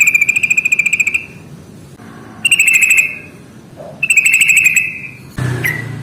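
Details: Yellow-vented bulbul giving a ngalas tarung rattle song, meant to get lazy birds singing. Three fast pulsed buzzy trills, each about a second long, followed by a short louder burst of mixed noise.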